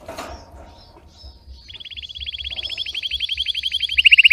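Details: Red Belgian canary in deep, intense song, for training: after a second and a half of low background rumble, a rapid rolling trill begins and grows steadily louder and brighter, pulses packed closely together.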